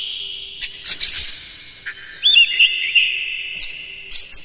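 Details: Morning song of an Oriental magpie-robin, used as a lure for captive birds. A held high whistle gives way to a loud burst of twisting slurred notes, then scattered sharp chips.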